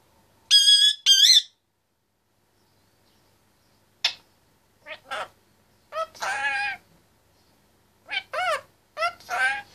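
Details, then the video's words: Chatty 25-month-old male Indian ringneck parakeet in his cage: two bright whistled notes open, then after a pause come a sharp click and a string of short wavering speech-like syllables. "quite a chatterbox in his cage"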